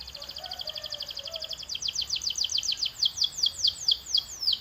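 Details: Canary training song: a fast, even trill of high ticking notes that slows into louder, more separated downward strokes, with faint lower warbling at the start.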